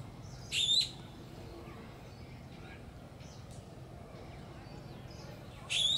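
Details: Cuckooshrike calling on 31 December 2013: two loud, high, rasping calls with a thin whistled core, about five seconds apart; faint calls of other birds between them.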